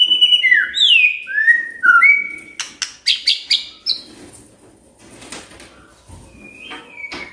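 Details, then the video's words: Magpie-robin song played to prompt a quiet bird to sing: varied whistled phrases sliding between notes, then a run of sharp clicks and short chirps, fading to soft rustling with a final whistle. "Pancingan Murai DIAM Agar Rajin Bunyi"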